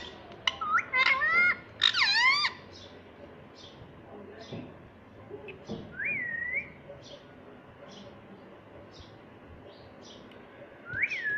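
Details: Pet green rose-ringed parakeet that talks gives two bursts of harsh, wavering, voice-like chatter, then soft ticking and two clear rising-and-falling whistles, with a faint indoor background.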